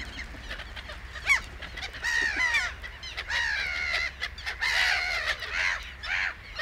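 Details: Black-headed Gulls calling in the reed beds of Matsalu, USSR, from a 1979 field recording: a series of harsh, rasping, harmonic cries, some drawn out and some clipped, overlapping as several birds call in quick succession.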